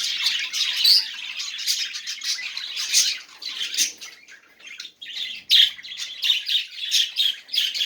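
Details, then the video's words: Budgerigar song to encourage silent budgies: raspy chatter and clicking, briefly dropping away near the middle before resuming with sharp chirps and short whistles. "muhabbet kuş sesi ötmeyen muhabbet kalmasın"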